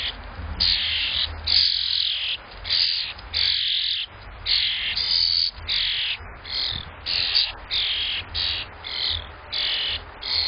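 A grackle gives harsh, grating, high-pitched bursts about every three-quarters of a second, steady and insistent throughout, over a faint low background rumble.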